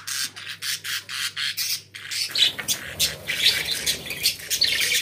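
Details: Pet budgerigars singing indoors, a steady stream of harsh squawks and scratchy warbling chirps in quick pulses, growing busier after two seconds.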